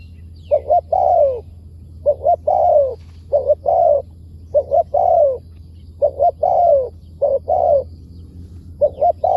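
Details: Wild spotted dove answering a decoy bird, its voice described as fine with wild-style phrasing: about seven cooing phrases, each two or three short soft notes and then a longer falling coo, with uneven gaps over a steady low hum.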